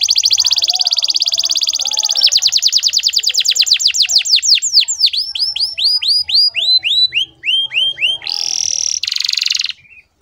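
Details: Canary in full song, used as a lure to teach young birds to sing: long rapid trills around high pitch, then sweeping repeated downslurred notes, closing with buzzy rolls and a short pause.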